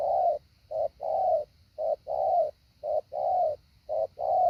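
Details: Spotted dove kept as a decoy, training its 'hạ bổi' call. Steady paired coos, a clipped note followed by a longer mellow one, cycling roughly every second with quiet gaps between.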